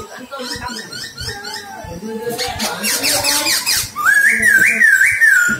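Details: Silver-eared laughingthrush used as a lure for bird trapping: after soft chatter and human talk, a loud wavering whistle rises and dips repeatedly in a rolling, warbled phrase.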